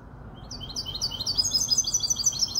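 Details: Bright, fast run of high chirps building in loudness, sung by a Casablanca goldfinch hybrid with Malaga canary parentage, five months old, over a soft low-pitched background hum.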